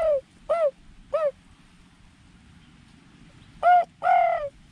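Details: Wild spotted dove at a drinking place beside a mung bean field it raids, calling from some distance: clipped downward-sliding coos, three quick notes then two fuller, longer ones close together.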